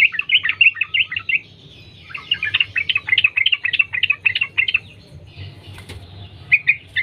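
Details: Wild yellow-vented bulbul singing continuously, a lure to get other bulbuls singing: rapid bubbly phrases broken by short pauses, with a sharp click near the end and a final brief chirpy burst.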